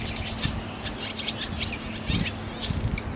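A Barn Swallow twitters in quick, high, scratchy chirps and clicks, broken into short bursts, over a steady low hum and rumble.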